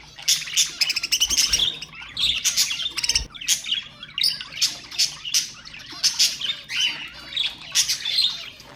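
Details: Several pet budgerigars warbling and squawking, used to stimulate other birds: rapid rhythmic bursts of harsh, buzzy chirps repeating about twice per second throughout.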